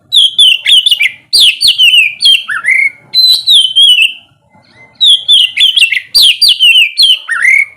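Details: Morning ngeplong song of an oriental magpie-robin, meant to prompt sluggish birds to sing: dense bursts of crisp descending whistles and sharp chips, each run ending in a low rising swoop, with one short silent break midway.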